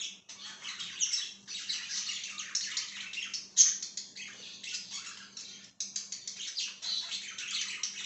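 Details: Pet budgie chirping and warbling in a long, steady stream of buzzy, scratchy notes with quick sharp squeaks, one brief break near the sixth second, and a faint low hum.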